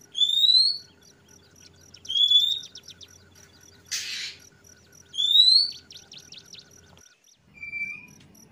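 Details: Kacer trotol, an Oriental magpie-robin, in ngeplong song: bright upslurred whistles repeated about every one and a half seconds, each trailed by quick ticking notes. One harsh hissing burst breaks in midway, and a lower whistle ends the phrase.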